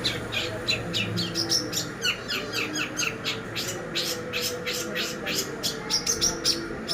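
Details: Cendet (long-tailed shrike) lure for training: a continuous rapid chatter of scratchy, harsh notes with occasional high thin whistles, over a faint steady background tone.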